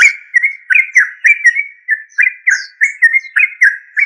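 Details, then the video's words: A Yellow-vented bulbul gives a steady run of bubbly, slurred chirps at about three or four notes a second, mid-pitched and fairly even. "Yellow Vanted bulbul trucuk"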